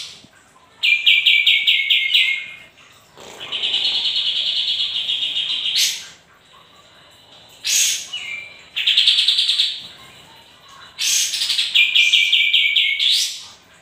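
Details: Lively sooty-headed bulbul song with varied phrases: a fast falling chirp series, a long sustained buzzy trill, sharp upward sweeps, another buzzy trill, then a rising sweep into a quick run of descending chirps.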